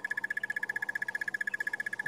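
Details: A Crested Barbet at Sabi Sand gives a sustained, even trill, about thirteen notes a second, at sunrise on 30 March 2016. It announces presence and keeps contact with its mate; the sex is unknown, and a second barbet responds elsewhere.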